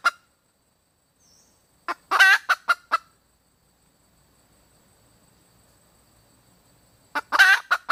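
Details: Hen red junglefowl calling in three bursts, each a short cluck or two leading into a raspy, harmonic squawk and a few quick clucks, separated by long silent stretches.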